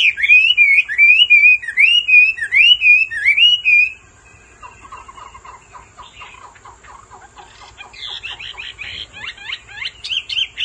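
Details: Male Hwamei spurred by a female's repeated calls, opening with loud looping whistled phrases for four seconds, then quieter chattering notes, then fresh high whistles.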